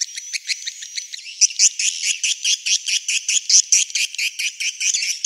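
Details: Lure sound for roosting swiftlets in a three-storey house: crisp, high-pitched pulsed chirps repeated a little over twice per second, with no low sounds at all and a faint steady whistle behind.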